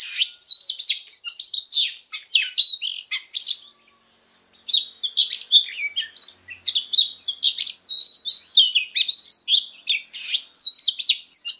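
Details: Oriental magpie-robin giving a fired-up fighting song during voice training: rapid, varied whistles, chirps and slurred notes in dense bursts, with a brief pause near four seconds. A steady thin high tone runs throughout.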